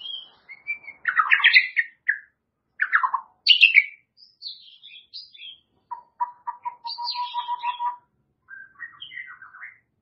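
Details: White-rumped shama delivering a varied song medley: harsh chattering bursts, sharp high whistles, a steady stuttering run of low notes and closing twittered phrases.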